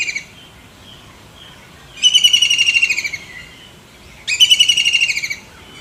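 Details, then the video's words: Kingfisher producing two loud, dry rattling trills about a second long, each falling slightly in pitch and spaced about two seconds apart, preceded by a few faint notes, with soft background hiss. "suab noog noj ntseg quaj tiếng chim bói cá"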